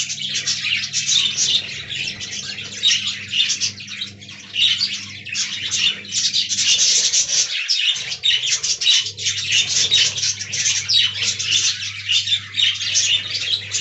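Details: Aviary budgerigar colony in long, dense, rasping chatter with clicks and squeaks running continuously, steady low electrical hum briefly interrupted midway.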